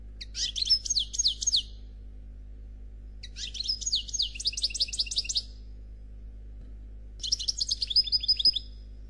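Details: Goldfinch song of the Noir Khalwi style, delivered without faults in three separate bursts of high, fast twittering and repeated trilled notes, each lasting about two seconds, with short silent pauses between and a faint low hum.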